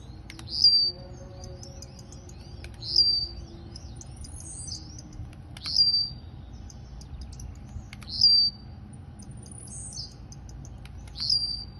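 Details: Campainha-style blue-black grassquit song from Campo Grande, Rio de Janeiro: five brief, high, buzzy bursts spaced roughly every two to three seconds, each a thin rising flick ending in a short trill, with steady low background hum.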